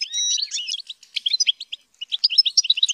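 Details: European goldfinch, reared and trained in captivity to sing, delivering fast tinkling twitters and short trills with a brief pure whistle near the start, a pause around the middle, then a renewed burst of chattering notes.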